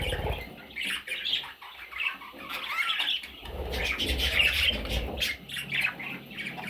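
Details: Young parrots calling in a rapid, uneven stream of harsh squawks and chirps, some bent and wavering, over intermittent low rumbling.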